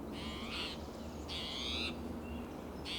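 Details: Agitated spotted towhee, Del Monte Forest, California, June morning, calling from coast live oak and Monterey pine; two long, harsh, nasal buzzes and the start of a third, separated by short gaps, over a low rumble.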